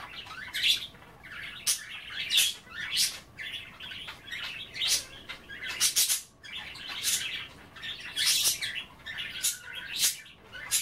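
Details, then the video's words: Pet budgerigars nibbling kale in water keep up a long, steady chatter of harsh bursts and warbled twitters, with roughly a dozen louder peaks and short pauses between phrases. "A day in the life of a Budgie - kale bath and chattering"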